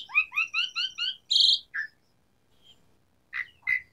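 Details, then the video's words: Asian pied starling in full song with varied fill-in phrases: five quick paired whistled notes, a loud harsh buzzy burst, a short rasp, then after a pause two more hoarse bursts. "Pancingan Jalak Suren Gacor Variasi Isian Tembakan | Masteran Suara Burung Jalak Macet Bunyi"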